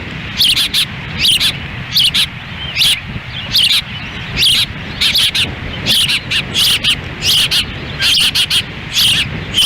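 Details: Ospreys at a ranch nest in Lolo, Montana, June 10, 2017, the female feeding chicks on a windy day with the male standing by; rapid high piping chirps, often paired, repeat about every second with wind noise underneath.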